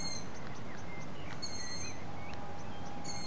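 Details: Several young long-eared owls begging while their parents bring food, after nightfall: faint, overlapping thin squeaky whistles running almost continuously, with soft clicks and a steady low rumble.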